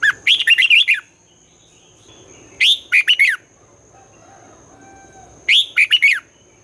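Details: Red-whiskered bulbul with the twisting morning song used to train young birds. Three rapid phrases of bubbling, up-and-down whistles come roughly every two and a half seconds, with a thin constant high hum behind them.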